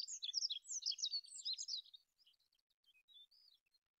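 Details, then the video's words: Olive-backed pipit pouring out a hurried, high, scratchy twittering phrase for two seconds, trailing off into softer scattered thin notes and brief faint trills. "SUARA BURUNG APUNG ZAITUN MASTERAN"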